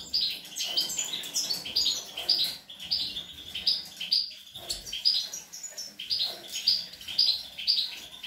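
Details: European goldfinch feeding young, 25 April 2021: a steady run of quick, high, tinkling twitter phrases repeated about twice a second, fairly even in loudness.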